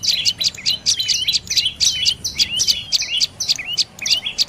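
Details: Rapid series of high, sharp chirps from a dark-necked tailorbird in northern Thailand, notes roughly twice per second with short clipped flourishes between, clear over quiet background.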